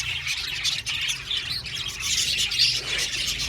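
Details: Many budgerigars kept in an aviary chatter at once, giving a constant wash of bright twittering and short squeaky notes, briefly dipping just before the one-second mark.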